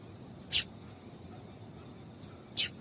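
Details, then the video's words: Female double-collared seedeater call used to excite a male: two clean, sharp high chips separated by roughly two seconds of near silence. "Piado de Fêmea de Coleiro para Esquentar Coleiro"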